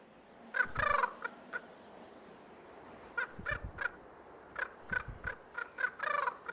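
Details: A Common Raven of a nesting pair in Yellowstone's Lamar River Valley, early April with snow on the ground, gives harsh, rasping alarm calls in quick clusters of three to five while harassing a great horned owl, with a faint background hiss.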